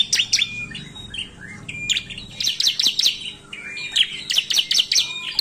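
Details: Bar-winged Prinia, locally ciblek, singing 'narung' as a lure: thin whistles and squeaky notes mixed with quick repeated runs of piercing high chirps, over a faint low hum.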